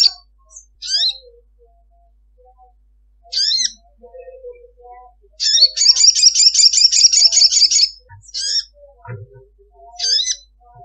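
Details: Female ruby-cheeked sunbird calling a male: scattered sharp, downslurred high chips, then a long rapid trill of repeated shrill notes lasting over two seconds, in the 'ngekek' chattering style, followed by further isolated chips.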